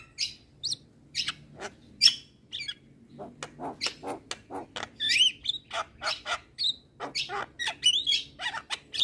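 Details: Black-winged myna song made of scattered harsh chacks and rasping notes between short clear whistles, uneven bursts roughly every half second to second, fairly clean background.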